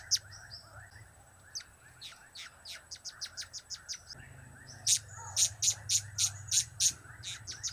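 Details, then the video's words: Blue-crowned hanging parrot in chatty mood, cap, kiak and crap calls. A steady string of thin high ticks gives way to a louder run of about seven shrill notes, with a faint low hum throughout. "Trio Cap²/Kiak²/Crap² Semakin Gacor"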